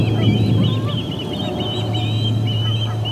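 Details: Osprey calling while visitors are ejected from the Charlo P2 nest, 12:10pm MDT, August 20, 2020. Fast, uneven high chirping, joined briefly by some lower whistled notes, over a low background hum.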